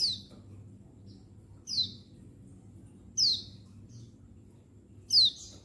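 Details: Calling female of the untulan white-eye, settled and used to excite newly caught males; four high, clear, falling chirps roughly every one and a half seconds, with a few faint notes and background hum.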